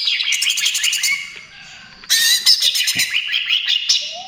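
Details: Greater green leafbird in full song, used to lure and stimulate other birds: a fast high trill, brief pause, then a loud jumble of sharp whistles and chattering notes.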